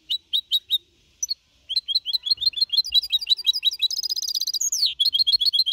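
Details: Goldfinch hybrid, a young bird of four and a half months, singing a clean Copia Malaga style song in 2021. Rapid twittering notes and trills, with a few short pauses early on, then a dense, buzzier run and a rising sweep near the end.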